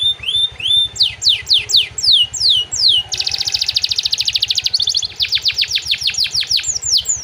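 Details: Canary song holding phrases learned from other small songbirds, used to train other songbirds: slurred whistles, then repeated falling sweeps, a fast rattling buzzy trill, and more quick downward sweeps.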